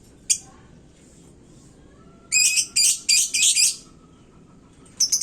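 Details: Lovebird singing hot in a hanging cage, a sound said to get other birds worked up: a lone sharp chirp, a pause, then a loud burst of harsh, rapid high chatter and a few closing chirps.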